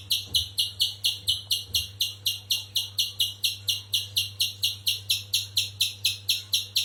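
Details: Spectacled spiderhunter chipping in a fast, very regular run of harsh, high notes, about two per second throughout, over a steady low hum.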